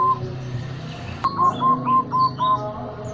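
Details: Big-voiced local zebra dove from Tuban, used as a master bird for doves learning song style, delivers a run of six level, rhythmic coos after a sharp click, with thin high chirps of other birds above.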